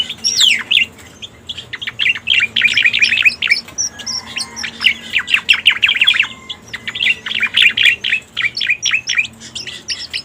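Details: Cica koreng (pied bushchat) lure recording, with rapid series of short, dry chirps grouped into fast rattling bursts, broken by short silences and faint lower tones.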